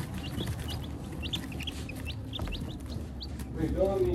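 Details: Newly hatched chicks, many of them, peeping: a steady stream of high, short rising cheeps over a noisy rumbling background, with a person's voice near the end.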